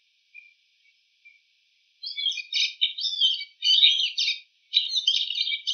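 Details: Wild bull-headed shrike imitating the calls of other bird species: after a few faint notes, dense scratchy bursts of varied chattering and twittering phrases, several rapid runs of mixed high notes separated by short pauses.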